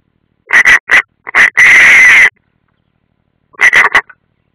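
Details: Nest of European rollers at Ādaži training ground, Latvia, 30 June 2016, live camera: a few short rasping notes lead into a sustained harsh screech, then a brief grating triplet.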